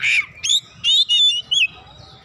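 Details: Kacer (oriental magpie-robin) singing its isian in an insistent reply: a burry opening note followed by clear, rising and wavering whistles in quick succession.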